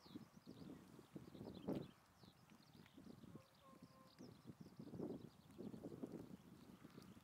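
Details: A flock of Tundra swans on Lake Biwa's west shore, Japan, late February 2020. A steady, low, clattering chorus is broken by a drawn-out, clear, hooting note held for about a second in the middle.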